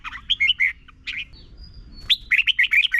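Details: Red-whiskered bulbul from Thailand, a tutor song for young birds: rolling, liquid warbled phrases open and close the recording, split by a brief note and a faint thin whistle in between.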